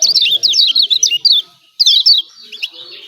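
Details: A run of rapid, piercing chirps from a Lombok yellow white-eye giving 'ciak ciak' calls to trigger other birds, followed by a short silence and a second shorter burst.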